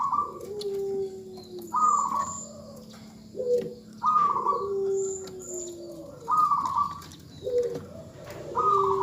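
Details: Female zebra dove calls to a male, said to set him singing at once; dense run of pulsed, trilling coos every one to two seconds overlapping lower, longer coos, giving a busy cooing chorus.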